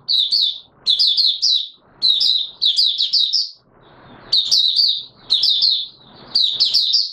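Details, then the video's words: Captive white-eye (Mata Puteh Raja) beginning its song while still short of full condition, recorded 9 May 2022; rapid, piercing warbled phrases of tumbling notes alternate with short gaps and a soft hiss of room noise. "Mata Puteh Raja V1 buka sing not full condition yet"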